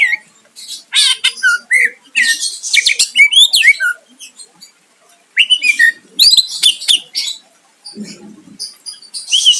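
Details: A greater green leafbird sings to goad a rival into answering, delivering dense mimicry-like phrases: rapid chatters, short whistles and harsh squeaks in long bursts, broken by brief silences.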